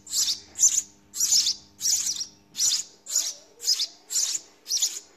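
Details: House sparrow babies calling in the nest as they are fed, a steady train of harsh, high, buzzy chirps about two per second, each note rough and raspy.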